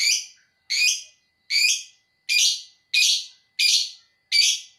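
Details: Lovebird giving the chattering ngekek song. Seven harsh, buzzy chirps are spaced steadily about every three-quarters of a second, each one dropping off quickly.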